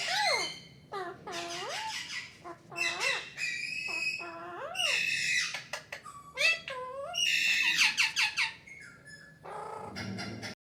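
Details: A pet parrot talking: varied sliding, speech-like phrases and whistled syllables broken by short pauses, some low and wavering, others higher and harsher.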